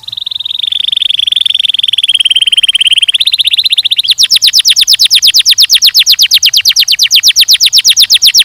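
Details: Canary song of long rapid trills: a fine, fast-pulsed rolling tour that steps up in pitch, then changes to a louder, coarser chopping trill of quick repeated notes.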